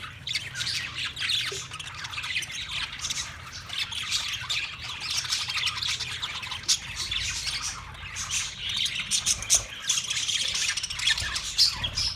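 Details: Many Australian parrots recorded March 15, 2024, keeping up a continuous noisy chorus of rasping squawks and chirps, dense and unbroken throughout.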